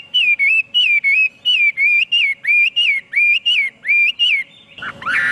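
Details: Chinese hwamei repeating one rich looping whistle about a dozen times at a brisk, even pace. A sudden burst of noise follows at the end.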